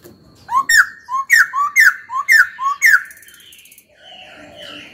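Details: Caged laughingthrush being trained to sing, a young bird finding its voice: a loud run of about six rich whistled phrases, each rising then sliding down, roughly two per second, followed by softer warbling and faint high chatter.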